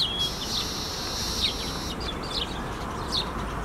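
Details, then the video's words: A Baya weaver at Emaar Imperial Garden, Dwarka Expressway, Gurugram, gives a long, high buzzy wheeze, then scattered sharp chirps and chatters over a steady low background rumble. "Sound of Baya weaver Bird"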